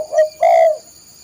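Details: Spotted dove call for training caged birds: a short soft coo followed by a longer, louder burred coo that fades, all within under a second.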